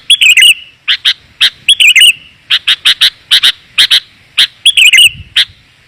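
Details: Sooty-headed bulbul on a clear, dense lure recording that brings wild bulbuls down: bright bubbly warbled phrases alternating with strings of crisp chips, close together and fairly even in pace.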